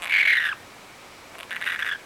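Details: Male budgerigar, three months old when bought from a pet store and not hand-raised, squawking while being handled and comforted indoors: a loud harsh squawk, then a softer, shorter second squawk after a pause.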